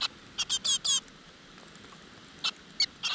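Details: Begging from great tit nestlings in a crevice nest while the mother delivers food: several harsh, high, rasping chirps, some with faint wavering overtones, then scattered single calls.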